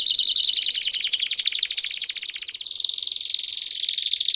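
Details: Belgian canary song: a pulsing, rapidly repeated high trill that shifts midway into a smoother, higher warbling run.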